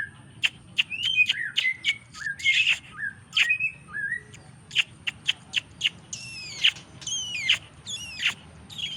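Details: Fighter-type white-rumped shama giving a lively varied song of whistled notes, sharp clicks and rapid descending slurred phrases, some repeated in a series of ringing downward sweeps toward the end; steady faint high hum behind.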